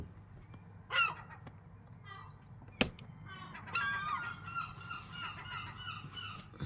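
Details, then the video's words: Loud gulls making strange sounds: a sharp yelp and a click early on, then from the middle a chorus of nasal, yelping calls in quick bursts, with steady low background hum. "Seagulls are very loud and make strange sounds"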